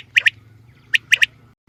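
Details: Short burst of female batair calling for hunting: two quick pairs of sharp high chirps about three quarters of a second apart, with faint low background drone.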